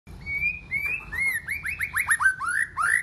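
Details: White-rumped shama singing a many-voiced song: a long clear whistle, then a quickening string of slurred, rising-then-falling whistled notes, about six per second by the end.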